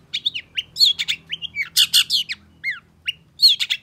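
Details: Long-tailed shrike singing agitatedly in quick response to a rival, used as a training recording for songbirds: a dense run of sharp, varied chirps, slurred whistles and falling notes in short bursts.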